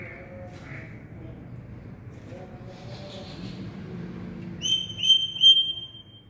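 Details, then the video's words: Black-capped lory calling very loudly: after several seconds of low, murky background noise, three short, piercing whistled notes rich in overtones ring out in quick succession near the end, then fade. "SUARA BURUNG NURI KEPALA HITAM KERAS!!!"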